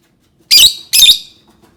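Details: Lovebird delivering two loud, grating squawks in quick succession, each lasting a fraction of a second.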